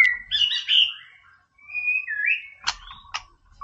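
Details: White-rumped shama tutor song meant to agitate rival birds: a burst of rich whistles, then long, clear, level whistled notes, ending with two sharp high clicks and a faint thump.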